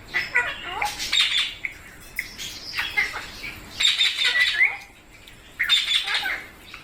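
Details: Talking pet parrot, the mitthu, making repeated groups of rasping squawks mixed with quick chattering notes, three bursts about two seconds apart, indoors.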